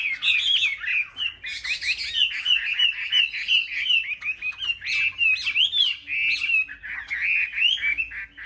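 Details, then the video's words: Market-rack Chinese hwamei, chosen birds singing against each other: rich, varied whistles, slurred rising and falling notes tumbling rapidly, with a faint steady hum beneath. "Họa mi hót đấu"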